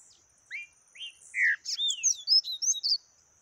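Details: Yellow-bellied seedeater singing the taquara rachada song type: opening with slow falling whistled slurs, then accelerating into a rapid run of varied high chirps and twisting notes, over a steady faint high hum.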